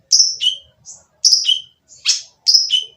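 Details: Oriental magpie-robin's harsh provoking song: high whistled note followed by a lower falling note, a pattern repeated three times, with one buzzy rasp in between, in quiet surroundings.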